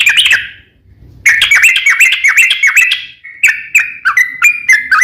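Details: Lure song of a sooty-headed bulbul for coaxing other bulbuls to sing: a short burst, a pause, then rapid whistled phrases, ending with evenly spaced steady whistles that drop at each end.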